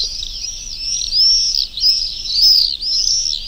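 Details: Summer screaming of swifts, church-dwelling birds, at the Urdaibai marsh on an afternoon live broadcast, 1 May 2020: high, thin rising-and-falling screeches follow one another rapidly, about one and a half per second, overlapping in a steady shrill stream.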